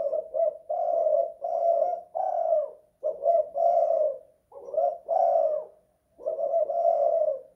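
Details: Indoors, a spotted dove repeats its 'kuk 2 / guk 1' song: soft, low, throaty coo groups about every second and a half, each ending in a longer drawn coo, with short gaps between.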